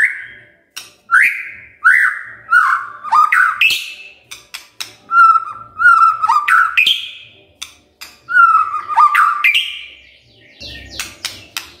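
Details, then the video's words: Shama song for the morning, aimed at prompting other shamas to reply: a series of slurred, rising whistles, each followed by a short pause, interspersed with crisp clicks and snaps. "Pancingan PAGI PAGI AGAR MURAI GACOR❗ murai diam pasti ikut NYAUT❗❗"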